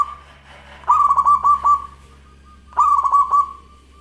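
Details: Local zebra dove in full, lively song with a crystal-clear voice: two phrases of quick, stuttering coos on one pitch that end in a drawn-out tail, about two seconds apart, over a steady low hum.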